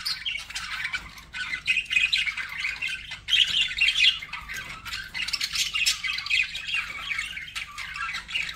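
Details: Pet budgerigars chirping, kept as a group; dense, continuous warbling chatter of buzzy chirps and squawks, several birds overlapping throughout with no pauses.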